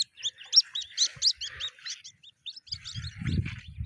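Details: White-breasted waterhen chicks, captured and then released, give a string of short, high cheeps. Low rumbling handling noise builds toward the end.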